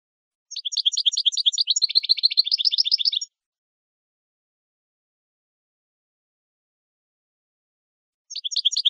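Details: Saffron finch song of the jilguero campero style, used as a tutor recording for training captive birds: a dense high burst of rapid, buzzy, stacked chips lasting about three seconds, then silence, then another burst starting. Clean background.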